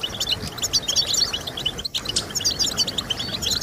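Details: Rapid bright twitter of a European goldfinch, meant to motivate goldfinches to sing; quick slurred chirps and buzzy trills run together, briefly pausing near the middle before resuming.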